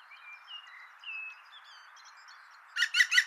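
Three loud, harsh, evenly spaced notes of a green woodpecker's laughing call close the clip, following faint thin whistles from other small birds.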